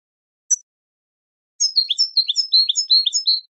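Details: European goldfinch song for training: one sharp high chip, then after a pause a lively two-second phrase of liquid, warbling twitters that alternate between higher and lower slurred notes; clean, quiet background.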